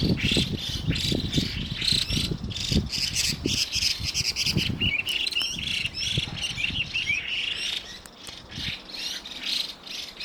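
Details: Evening calls from a pair of Chinese hwamei, alternating grating squawks and piping whistles; dense, fast bursts of chirpy notes run through the recording, with heavy low thumping and rumble in the first half that later fades.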